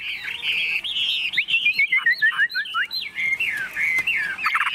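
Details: Caged, tame Chinese hwamei from Vietnam pouring out a fast medley of bright whistled notes, downward slurs and chattering trills with hardly a break.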